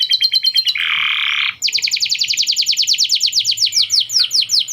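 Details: Canary singing with lovebird chatter worked into its song: a rattling trill, a harsh hissing buzz of about a second, then a long, loud run of sweeping rolled notes.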